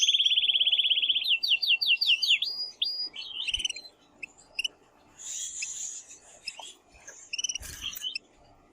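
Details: Canary male singing strongly to encourage the female to mate; a fast high trill gives way to repeated rising sweeps, then scattered short chirps and a brief buzzy burst before fading.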